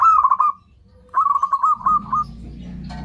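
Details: Zebra dove call used as a lure to draw in other zebra doves: rapid, rolling, trilled coos around one pitch, a short burst then a longer rolling phrase, followed by faint low rumbling background noise.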